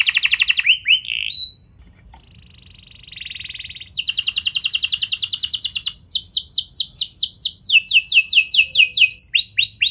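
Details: Domestic canary song played as a lure to get other canaries singing and rolling: loud high trills and sweeping notes, a near-silent pause around two seconds, then fast rolling trills and a run of downswept whistles.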